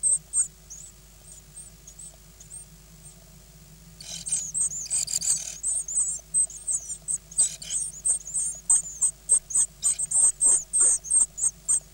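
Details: Nine great tit nestlings, eight days old (hatched 16 May 2010, recorded 24 May), beg while being fed: thin, very high squeaky cheeps swelling into a frantic, rapidly repeated chorus, several per second, over a faint low hum.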